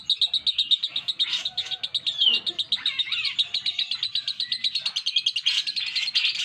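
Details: Sustained ngekek chattering from a lovebird, shrill pulsed notes racing along at a steady fast clip with a few squeaky slurred notes mixed in.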